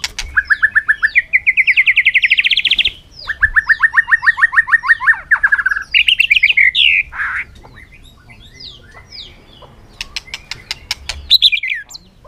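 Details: White-rumped shama in full contest song under the afternoon sun: long trilled runs of rapid rising notes climbing in pitch, a second steady trill, varied whistled phrases, then clicks and a falling whistle.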